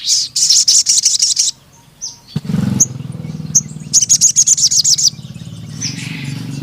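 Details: Crimson sunbird, locally sogon, in full gacor song with long nembak panjang runs: rapid high, thin trilled notes repeated many times a second, broken by a loud low rumbling noise midway.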